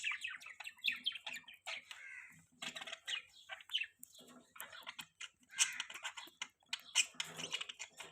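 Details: Pet budgerigars chattering: high, scratchy chirps and warbled twitters in quick, irregular bursts throughout.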